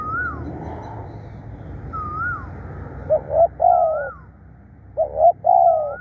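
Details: Fierce, persistent calling of a decoy spotted dove: two coo phrases, each two short clipped notes followed by a longer purr. Repeated wavy whistled notes sound between and over them, above a low background rumble.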